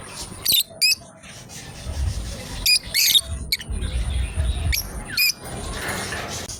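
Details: A lovebird pair at play, chirping in brief shrill bursts, some doubled, scattered every second or so, with one downward-sliding squeak, over murmuring background noise and a faint steady whine.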